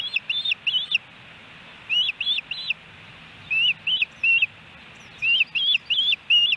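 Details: Nesting osprey in Hellgate Canyon, Missoula, Montana, recorded by nest camera July 13, 2018, when three fish were delivered: high whistled chirps given in short bursts of two or three, separated by pauses.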